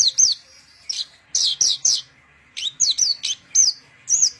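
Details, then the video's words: Branjangan song: sharp, high, downslurred chirps from a Javan bush lark, given singly and in small groups with brief pauses, clear against a quiet background. "Branjangan Mewah Roll Tembak"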